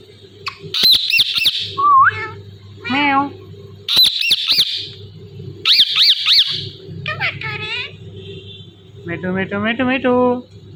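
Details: Indian ringneck parrot, a talking pet bird, mixing mimicked speech with sharp high squawks and chirps; bursts of clipped harsh notes, wavering speech-like syllables, and a closing run of rapid repeated notes, a low hum beneath.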